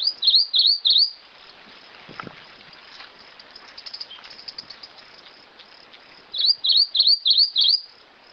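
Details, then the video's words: Rufous-crowned Greenlet song: a burst of three high, dipping-and-rising notes, a pause of about five seconds with faint ticking, then a matching run of five evenly spaced notes. "Canto do Pássaro Verdinho-coroado!"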